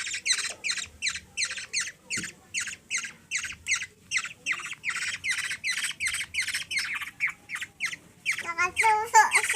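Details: Philippine black-naped oriole (kilyawan) nestling begging for food from a young girl: rapid series of scratchy squawks, then a short whistled wavering sound near the end.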